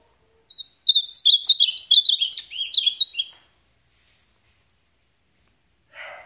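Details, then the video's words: Ultramarine grosbeak song with a fast delivery: a rapid run of clear whistled and slurred notes around three seconds long, followed by a brief high whistle and a short burst of noise. "AZULÃO SUPAPO"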